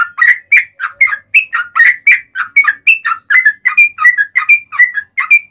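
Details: Yellow-vented bulbul giving long rapid-fire ropel panjang song, played as a lure so other bulbuls answer: steady chain of short gurgling, whistled notes alternating higher and lower pitches, delivered briskly without pauses.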